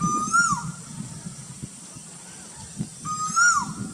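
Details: Cuckoo in Burdwan giving two loud whistled calls about three seconds apart, each swelling upward then falling away quickly, against a persistent low rumble and high-pitched hiss.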